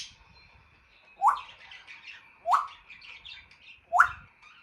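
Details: Pet African grey parrot repeating a sharp rising whistled click three times, roughly every 1.3 seconds, with soft babbling notes between them.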